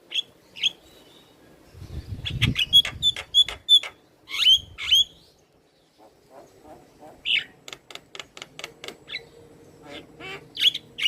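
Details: Javan myna singing hard while bobbing its head, used as a lure to prompt a silent myna: whistled notes and clicking bursts, a brief low thump, a pause, then fast clicks and a final whistle.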